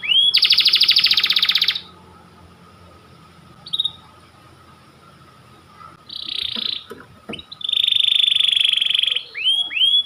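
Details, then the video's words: White panda canary singing long, persistent phrases for canary training. Dense, buzzy high trills come in bursts separated by quiet gaps, and there is a short whistled rising note near the end. "Kicau Kenari panda ngotot nembak panjang"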